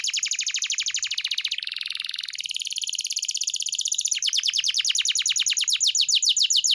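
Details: Canary song used as a master recording to train pet canaries to sing: fast rattling trills of identical downslurred notes, then a buzzy sustained roll, then sharper rapid chips resuming near the end.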